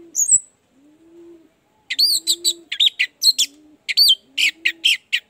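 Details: Orange-headed thrush singing, used as a lure for kept birds that are sluggish or slow to sing: a high whistle, then clusters of sharp varied chirps and trills, with a low steady hum underneath.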